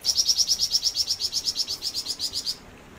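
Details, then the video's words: Vigorously singing flamboyan bird delivering one long unbroken series of about twenty quick, piercing high chirps, steady in pitch, over two and a half seconds before stopping. "Burung flamboyan gacor"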